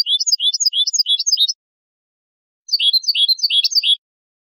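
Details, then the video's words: Two phrases of European goldfinch mecidas song, fast repeated bright chirps rising and falling in a rocking rhythm, each lasting over a second, separated by a clean pause. "CANTOS BASICOS DEL JILGUERO ** MECIDAS"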